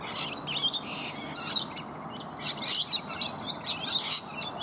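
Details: Rainbow lorikeets in numbers feed on native bottlebrush flowers high in a tree, joined by one other bird. Loud, rasping squeals come in tight bursts nearly a second long, repeated several times with short pauses.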